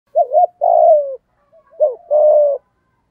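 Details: Spotted dove singing in the 'giọng thổ' style, a full lure sequence meant to provoke stubborn wild doves into calling: two low phrases, each a quick wavering double note followed by a long, slightly falling coo, with faint soft notes between.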